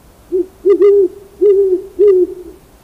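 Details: Owl giving a run of low, hollow hoots: four short notes, one of them doubled, spaced roughly half a second apart against a quiet background.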